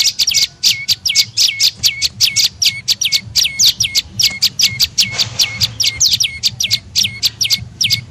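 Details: Tailorbird lure call (prenjak lumut) played to attract birds: fast, piercing chirps sweeping down to a flat low ending, strung together in a rapid, even series.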